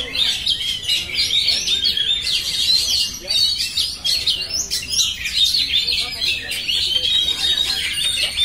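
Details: Continuous song of an oriental magpie-robin: high, bright whistled phrases and rapid chirps running almost unbroken throughout, with brief quieter dips.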